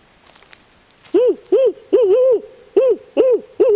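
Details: Barred owl from a pair in Swan Valley, Montana, drawn in close during field work by a person's imitated calls; loud, low hoots in six rounded, rising-then-falling notes, some doubled, in a rhythmic phrase against a quiet background.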